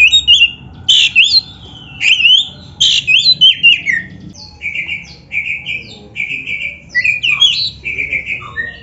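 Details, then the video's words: Oriental magpie-robin song recorded for training captive birds: a rapid run of loud whistled and buzzy phrases, then repeated short steady whistles alternating with downslurred notes, continuous over nine seconds. "Suara Burung Kacer yang Cocok Buat LATIHAN"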